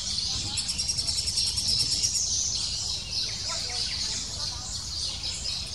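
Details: Rapid, regular begging calls of a lesser spotted woodpecker chick, about three notes per second, strongest in the first half, as the female comes to feed it; low rumble throughout.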